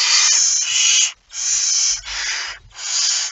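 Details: Barn owl with prey, a mouse, at night on 17 September 2019: four rough, airy screeching hisses, each roughly a second long, with short pauses between.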